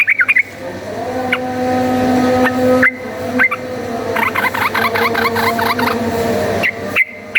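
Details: Yellow-vented bulbul singing a rapid fighting song meant as a lure, with short bursts of quick tumbling notes in the middle amid a steady low humming drone and a few isolated sharp chips.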